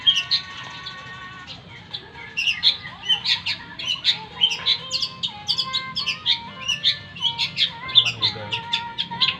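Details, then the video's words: Long-tailed shrike singing busily: a varied jumble of chirps, squeaks and short whistles, with steady mid-pitched tonal notes running underneath. "Cendet gacor"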